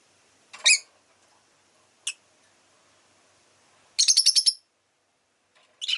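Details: Shrill chirping from a rosy-faced lovebird: one loud chirp, a short isolated note, then a rapid burst of about six harsh chirps, and a final chirp.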